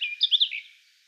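A brief burst of garden warbler song: a few quick, rich warbled notes run together at a mid-high pitch, then fading out in a clean background.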